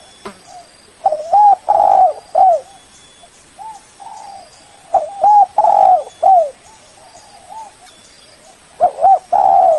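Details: Lure call of a spotted dove, meant to call a rival: deep, rounded coos in repeated phrases, a short hiccup note leading into a drawn-out coo, with quieter answering coos between the louder phrases.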